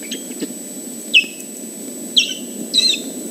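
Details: Osprey displaying while an intruder is around, recorded on 30 July 2014 at the Dyfi Osprey Project nest: three short, sharp, high whistled chirps that drop in pitch, spaced about a second apart, over a steady low background hum.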